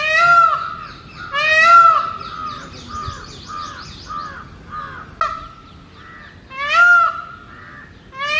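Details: Male peacock calling during mating season from a rooftop territory to attract females: loud ringing harmonic wails at the start, near two seconds and near seven seconds, with a run of softer, rapid, repeated nasal honks between them.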